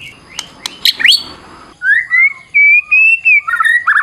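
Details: White-rumped shama with a fighting-style song full of variation: sharp clicks and a rising chirp, then a long, smoothly wavering whistle and buzzy closing notes.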